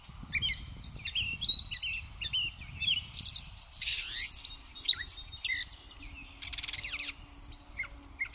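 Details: Gray catbird at Pleasant Valley Wildlife Sanctuary, 4 May 2024, pouring out a dense, improvised medley of high chirps, buzzy chatters and squeaks, with a harsh burst near the middle and rustling low noise underneath.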